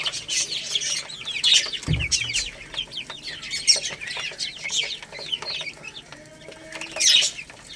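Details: Baby chicks feeding on rice give overlapping high-pitched chirps in quick bursts, mixed with pecking taps and one low thump near the two-second mark.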